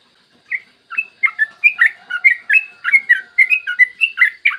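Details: Yellow-vented bulbul singing long, energetic trill phrases, a clear morning lure recording meant to make other bulbuls sing: a dense run of bright, bubbling whistled notes, quickly repeated and varied in pitch.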